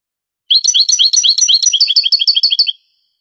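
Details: European goldfinch performing Granada-style song, from a Spanish cassette of the 1980s–90s converted to CD. About two seconds of busy, high, jangling notes that shift from mixed twitters into a faster, more even run before stopping.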